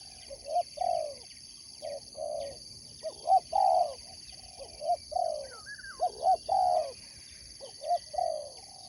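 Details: Spotted dove, a sport dove kept for song competition, giving low mellow coos in repeated phrases: a short note, then a longer drawn-out coo, about every two seconds. A steady high-pitched whine runs throughout, and faint chirps sound in the background.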